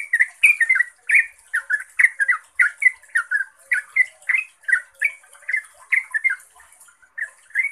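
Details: Yellow-vented bulbul in lively lure song to prompt other bulbuls to call back: dense bursts of chortling, bubbly notes that thin out toward the end, over a steady high hiss.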